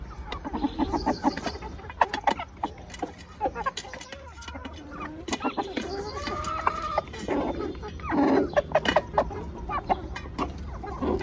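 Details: Chickens clucking and calling in short harmonic bursts, several overlapping voices scattered through the stretch, with a louder cluster near the end; clicks and knocks and a low background hum around them.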